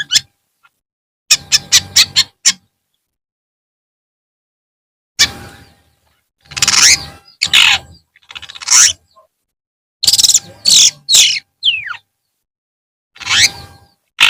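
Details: Long-tailed shrike song in the afternoon: bursts of loud harsh chattering notes and clear whistled sweeps, separated by silent gaps of one to three seconds.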